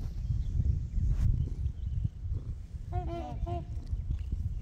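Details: Trumpeter swans gathered with geese on Horseshoe Lake: after steady wind noise, two quick, brassy, horn-like honks ring out in a tight pair, with soft background birdsong.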